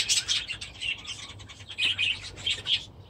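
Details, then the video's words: Aviary budgerigars, chicks among them, produce rapid high twittering chirps and short warbled notes in quick succession, with a low hum behind. "My Budgies Today"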